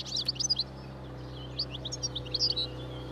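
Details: Wild European goldfinch feeding on previous year's thistle seeds beside a road as spring approaches, starting its breeding song; quick bright twittering phrases in two bursts over a steady low hum.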